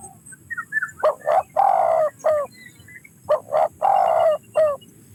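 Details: Spotted dove cooing: two phrases of mellow low coos, each a couple of short notes, a long drawn, slightly falling middle coo and a short closing note, separated by about a second of quiet.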